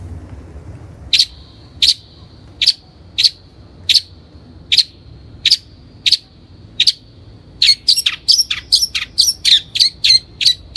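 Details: Long-tailed shrike song used as a lure for training birds: evenly spaced sharp high notes about every second, then a rapid chattering run of quicker doubled notes.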